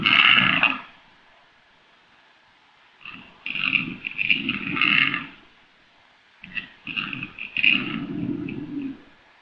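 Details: Hybrid of black grouse and capercaillie calling in rough, gravelly croaks and gurgles, one loud burst at the start, then two longer runs of stuttering grunting notes after silent gaps.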